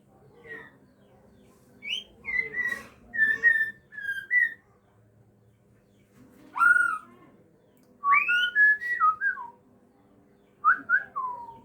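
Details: Aceh white-rumped shama in captive breeding, a parent feeding its young: scattered short whistled notes, some clipped and falling, building to quick clusters of sliding whistles, with quiet gaps between bursts.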